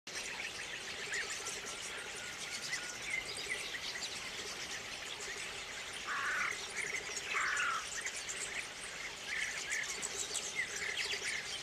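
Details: A large flock of rosy starlings early in the morning at Lake Kerkini keeps up a dense, unbroken chatter of high, scratchy chirps and squeaks, with a few louder, harsher bursts rising above it.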